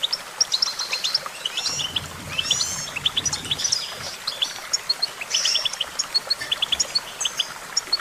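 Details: Goldfinch chirping and twittering in scattered high, tinkling notes and short trills, several birds calling over one another, with a brief low rumble near the start.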